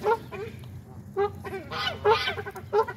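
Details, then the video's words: Feeding-time waterfowl on a pond one Saturday morning give short, rasping honks and quack-like calls in quick succession, with a low hum throughout. "A very noisy Saturday morning fowl feed on the pond"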